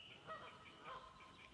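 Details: Canada geese at a beaver pond swamp with a heron rookery in New Hampshire, on June 18, 2020, give two harsh, nasal honks half a second apart while keeping predators away from their young, over faint swamp sounds.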